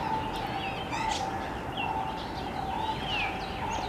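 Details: Two common mynas calling in a backyard give a varied run of whistled, squeaky and chattering notes, some sliding up or down, over a steady low hum, with a brown-headed barbet and other birds in the background.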